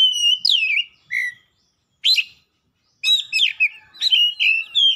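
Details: Oriental magpie-robin in energetic song, unloading its 'isian' fill phrases. A falling whistled slur and a short low note are followed by a harsh burst, then a dense run of chattering, buzzy and whistled notes.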